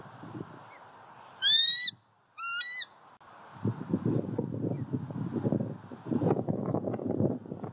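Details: Eagle on a Southwest Florida eagle cam during a pond visit, 23 February 2020: two loud, ringing, upward-curving notes close together, then a stretch of low rumbling and crackling background noise.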